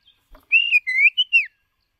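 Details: A decoy White-rumped shama sings for voice training. It gives one sweet whistled phrase of slurred notes, first level, then dipping, rising and falling away, with a faint click just before.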